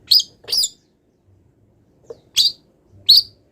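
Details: Long-tailed shrike in moult gives four loud, harsh chirping notes in two pairs separated by a silent pause of over a second, part of a training song of wild-bird imitations.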